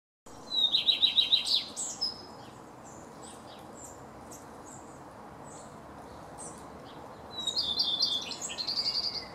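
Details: Eurasian nuthatch calling on 28 May 2017: a fast trill of about ten high, clear piping notes, then quiet with faint distant chirps, and a second quick run of piping notes near the end. Soft background hiss throughout.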